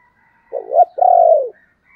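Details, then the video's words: Spotted dove used as a decoy, calling: one phrase of a brief wavering coo followed by a longer, level, gently falling coo, with faint high tones in the background. "Tiếng chim cu gáy mồi gáy gọi"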